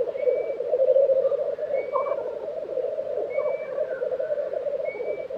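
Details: Black grouse lek chorus from Tiveden, Sweden, in April 2023: the low bubbling rolls on without pause while another bird gives four thin, high, level whistles about every 1.5 seconds.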